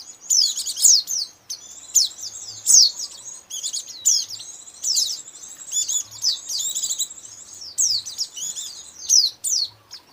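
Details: White-eyes' lure sound, Indonesia, for catching the birds: very high, squeaky twittering in repeated bursts, each with bright downslurred chips, roughly every second, over a faint low hum.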